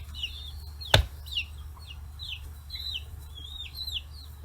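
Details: Chicks forty days old, free-range in Hiroshima Prefecture, Japan, flocking to fish heads; a sharp knock near the start, then spaced high down-slurred peeps every half second or so, with steady low hum.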